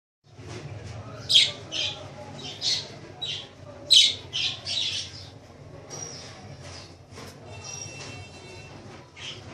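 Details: Pet budgerigars (Australian parrots) kept in Lahore, Pakistan, giving bright, high chirps and squawks in irregular bursts over a steady low hum.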